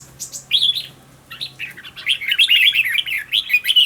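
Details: Red-whiskered bulbul, a decoy bird in training for contest singing, delivers short bright warbled phrases that rise and fall, a brief note first, then a denser run of rapid chirpy notes; a faint low hum underneath.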